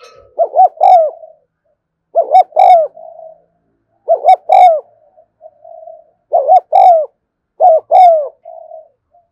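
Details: Spotted dove cooing continuously in the 'thúc gù' style, filmed in the afternoon: clean repeated phrases of two or three quick rounded hoots, each ending in a softer, drawn-out murmur, repeated about every two seconds.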